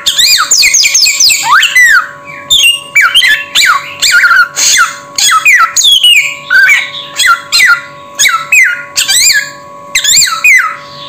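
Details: Samyong bird giving loud harsh squawks and whistled notes that sweep steeply downward, in rapid bursts with short gaps, over a steady electrical hum indoors.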